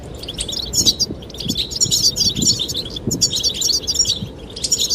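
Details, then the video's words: Goldfinches chirping amid wind, a male singing to attract the female: rapid twittering bursts of bright, high tinkling notes in clusters about every second, over a steady low rustle of wind. "Sound of the wind and the chirping of goldfinches"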